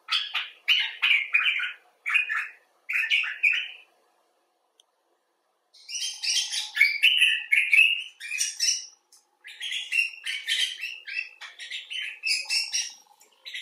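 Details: Common bulbul (Pycnonotus barbatus) 'talking': two bouts of quick, liquid chirps and warbled phrases separated by a silent gap of about two seconds. The second bout is busier and rises higher.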